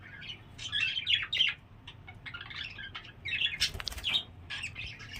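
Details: Home-bred budgerigars chattering: continuous scratchy warbles and chirps in overlapping bursts, with fluttering wings and light rustling.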